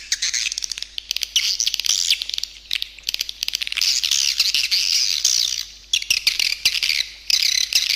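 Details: Edible-nest swiftlet lure call, a stereo mix with supporting sounds, used to attract swiftlets: rapid ticking clicks interspersed with high buzzy twittering phrases that swell and pause briefly.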